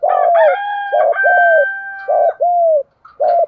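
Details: Spotted dove in the country-voice style, used as a decoy to stimulate other doves to call: a run of low, hollow coos with one long drawn note, then two more coos after a short pause, with a faint steady higher tone behind.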